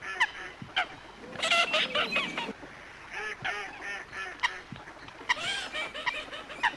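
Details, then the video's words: Several coots call almost without pause. Harsh nasal honks overlap with squeaky, wavering notes and a few sharp high clicks, all over a steady low outdoor hiss. "Coot best voice call"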